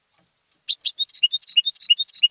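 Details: Competition European goldfinch bred at home, opening with two sharp chips, then a lively series of whistled, slurred high notes alternating up and down.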